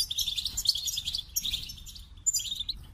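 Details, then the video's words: Brief burst of goldfinch song, a jangling high twitter with a short pause before a final bright phrase. "The Captivating Call of Goldfinches: Musical Wonders of Nature"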